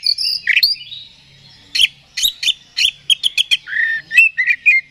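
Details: Oriental magpie-robin (kacer) provoking song: slurred whistles followed by a series of sharp staccato chips, then lower descending whistled notes.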